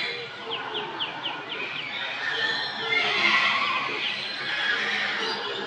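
Olive-headed lorikeets give a rapid run of short, high chirps, then a harsh, shrill screeching chatter, with possibly several birds calling over a noisy background.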